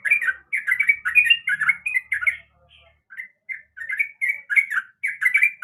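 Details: Sooty-headed bulbul female calling a male: bursts of busy, liquid chirping, then a short near-silent gap, then shorter spaced chirps that build back into quick chatter.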